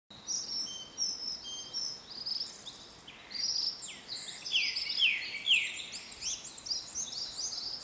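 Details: Japanese thrush singing in the highlands: a run of high, bright, varied whistled phrases, some with quick downward slurs, following one another with little pause, over a steady background hiss.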